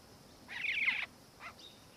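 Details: Black-faced cuckoo-shrike, subspecies melanops, Victoria, Australia, December 2019: one harsh, buzzy, slightly descending burst lasting about half a second, followed by a faint softer note.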